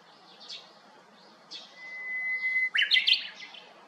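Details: Japanese bush warbler on 7 May 2021, perched in a cypress by a vacant neighbouring house: a long flat whistle swells, then breaks into a rapid, rising, ringing phrase; faint high twitters from other birds come before it.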